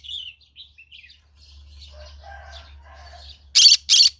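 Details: Green-cheeked conure singing in the morning: soft, scattered chirps and muttered chatter for three seconds, then two loud, harsh broadband screeches in quick succession near the end.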